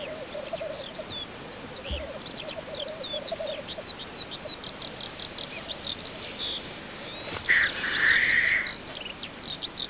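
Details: Black grouse cock displaying at a lek: low rolling bubbling phrases for the first few seconds, then a chorus of sharp, high chirping and whistled calls from other birds, with a louder buzzy burst near the end.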